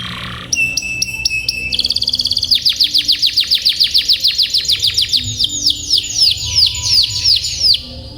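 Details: Canary tutor song for training young birds and silent canaries toward long rolling: a quick rattling trill of short notes, then a long run of bright, arching slurred notes about four per second, ending in descending sweeps.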